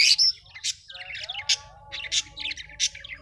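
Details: Colorful Australian budgies squawk and chirp, with a harsh opening note followed by scratchy warbled chatter and regular bright chirps roughly every half second.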